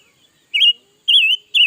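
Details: Red-billed leiothrix singing all day, 2021: three loud, clear whistled notes, each a short warbling wavy phrase, rising slightly then wobbling, spaced about half a second apart in near silence.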